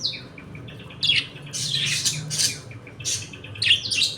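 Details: Budgerigars in a home colony, eating, playing and fighting, give rapid warbling chatter with squawky bursts, several birds overlapping in a small room, the calls bunching into loud clusters.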